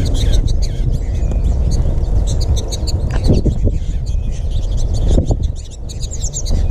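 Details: Feeding flock of American goldfinches in NW Gainesville, Florida, March 20, 2021; busy high-pitched twittering from many birds, with two dull thumps midway and a continuous low rumbling noise beneath.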